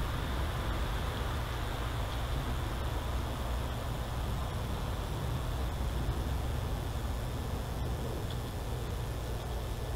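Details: A steady low rumble like passing traffic or an engine fills the background with broad hiss, and no animal calls stand out.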